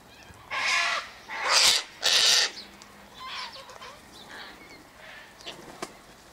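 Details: Three loud, rasping screeches in a row from sulphur-crested cockatoos feeding on sunflower seeds, wheat and birdseed by an eastern gate, followed by softer, distant squawks.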